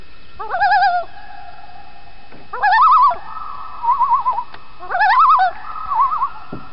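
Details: Common loons on Chibiabos Lake, Algonquin Park, in the evening, very vocal. Three bursts of quavering, yodel-like calls about two seconds apart, joined by long mellow wailing tones.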